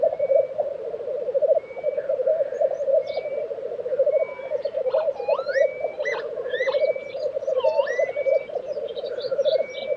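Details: Lekking black grouse, Tiveden in Sweden, April 2023, keep up a steady low rolling bubbling throughout, partly masked by other birds adding busy high whistles, chirps and rising slurred notes.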